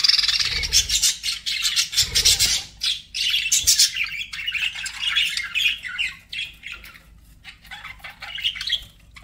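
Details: Pet budgerigars keep up busy chirping: loud, harsh squawks open the stretch, then rapid twittering and warbling chatter runs on continuously, rising and falling in loudness in short irregular bursts.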